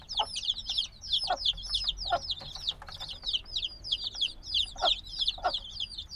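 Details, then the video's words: A brood of days-old black chicks, still dependent on their mother's warmth, peeping in a dense overlapping chorus of high curved chirps, interrupted by brief lower knocks; binaural field recording. "Baby Chicken Sounds - Baby Chicken Chirping Noises"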